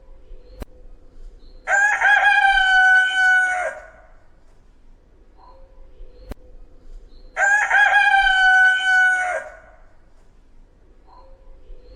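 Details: Two loud crows from a rooster, each about two seconds long, rich and brassy with steady harmonics, spaced roughly six seconds apart. Faint short clucks follow each crow, and a sharp click comes before each one.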